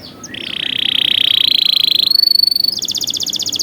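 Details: Canary training song: a long, rapid rolling trill held steady, stepping up to a thinner high tone, then a fast pulsing high trill.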